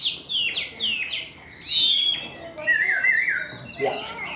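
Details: Chinese hwamei in varied song: quick slurred whistles and short trilled phrases that rise and fall, with a bright wavering passage in the middle and faint background murmurs.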